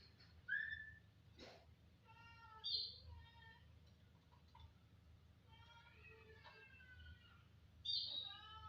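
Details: Starling giving a charming whistled song: bright high whistles and stacked, evenly spaced harmonic notes in short phrases, with faint low background hum.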